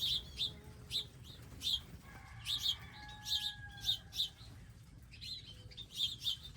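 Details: Wild garden birds at feeders stocked with seeds and water; crisp high chirps, often doubled, repeat through the clip while a brief low drawn-out tone sounds midway.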